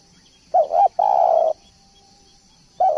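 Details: Spotted dove singing actively, recorded as a tutor track for training birds: two short mellow coos followed by a longer, steady, hoarse coo, then the next phrase begins. A faint constant high hiss runs underneath.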